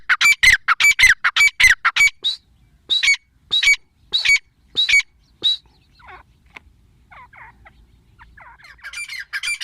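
A female Grey francolin gives loud, harsh, screechy notes in a quick burst, then slower ones about a second apart, fading to softer scratchy calls.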